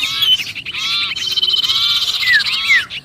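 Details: Short burst of sirpu distress calling, as if trapped, used to attract other birds: thin, buzzy chatter ending in two sharp falling whistles.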